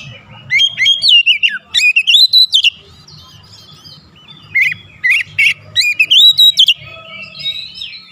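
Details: Oriental magpie-robin lure song meant to stir emotion: swooping whistled slurs and abrupt sharp notes in uneven bursts, with a quiet low hum underneath.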